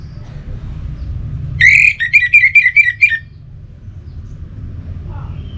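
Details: Orange-headed thrush song: one phrase of about seven loud, clear whistled notes, each slurred and nearly level in pitch, delivered quickly over a second and a half above a low background hum.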